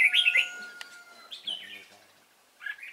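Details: Red-whiskered bulbul of the Cánh ruồi kind at a trapping site, 3 March 2017: a loud quick burst of bubbly notes, then a slurred downward phrase and a short final chirp, with a sharp click between.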